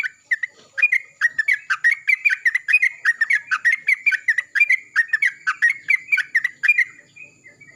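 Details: Morning song of a Yellow-vented bulbul answering another one loudly, with quick chattering, gurgling notes rolled together in a steady stream that lasts most of the recording.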